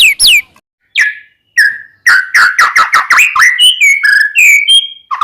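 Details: White-rumped shama singing a varied phrase used as a lure for another shama: a few sharp chips, then rich fluty whistles and slurred notes running together, ending in higher sustained whistles.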